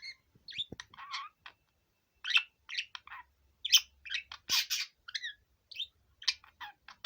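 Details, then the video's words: Five-year-old male pet budgerigar singing indoors while let out of its cage: a busy chattering warble of short scratchy chirps, squeaks and buzzy notes, some rising, in quick bursts broken by brief pauses. "セキセイインコのオス さえずり"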